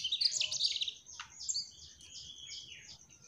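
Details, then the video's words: Mugimaki flycatcher called trotol, singing gacor: a loud burst of bright, rapid twittering, a sharp downward chirp, then drawn-out high whistled notes fading away. "Burung Sikatan MUGIMAKI TROTOL Gacorr"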